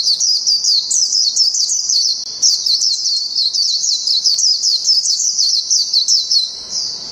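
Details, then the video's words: A white-eye (Zosterops) from Thailand sings a long, unbroken stream of thin, very high twittering notes, quick and slightly rising and falling, with no other sounds. "Zosterops Good Singer"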